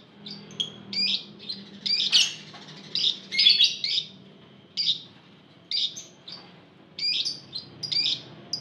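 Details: Lovebird group sound (ombyokan) meant to draw other lovebirds into song: repeated short shrill chattering bursts, some clustered closely, spread over eight seconds with a low hum behind.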